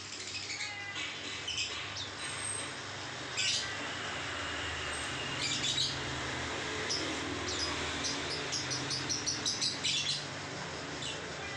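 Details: Lovebird in the ngekek singing style, with scattered sharp high chirps and short chattering bursts spread through the clip over a steady low background hum.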